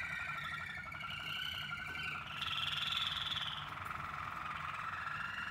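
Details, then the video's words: Waterslager canaries in song training, grouped together to shape their songs; steady rolling trills and long warbling tones that rise to a sustained higher note midway, then settle back into lower rolls. "Modifying variables for the waterslager canaries on their song training."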